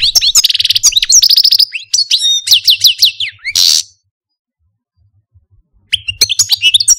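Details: Algerian Parva goldfinch, a caged pet male, sings fast trills and sweeping notes ending in a harsh buzz, then about two seconds of silence before a twittering phrase starts again.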